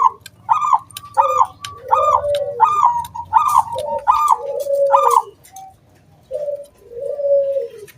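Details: Zebra dove of a local strain, singing a lure song meant to set other doves cooing: seven sharp, bright hooting notes in steady sequence over lower warbling coos, ending in two soft drawn-out rolling coos; low hum underneath.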